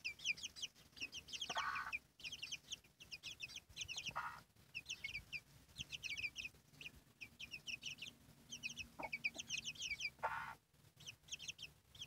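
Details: Chicken hen with chicks: steady high-pitched cheeping from a brood of chicks in bursts, broken by a few short, deeper clucks from the hen at intervals.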